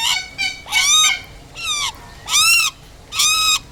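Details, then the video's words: Butcherbird, named locally as Jagal Papua, giving five loud, nasal, harmonic notes about 0.7 seconds apart, several sliding down at the end, over a quiet background. "Jagal Papua"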